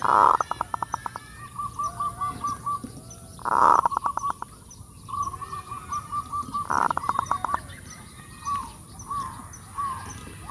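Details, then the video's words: Zebra dove lure song, full kerot: three loud harsh bursts about three seconds apart, each running into rapid stuttering pulses and strings of soft repeated coos. "Pikat perkutut FULL KEROT"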